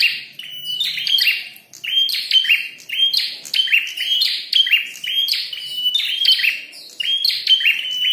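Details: Red-headed prenjak fighting and singing vigorously: phrases open with a sustained high whistled note, then run into rapid buzzy, chattering notes, repeated roughly every second, with overlapping bursts throughout.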